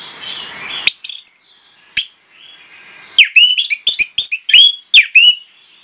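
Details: Orange-headed thrush pancingan song, used as a stimulus for other birds: scattered sharp whistled notes and clicks early on, then a dense, jumbled stretch of quick, swooping, varied whistles over a quiet background.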